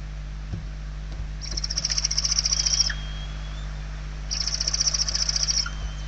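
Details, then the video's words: Inside a Spanish barn owl nest in late November 2023, hungry chicks give two drawn-out, rasping, snore-like hisses of about a second and a half each, separated by a gap of about two seconds, over a low steady hum. "Lechuza común - [Interior]- Płomykówki"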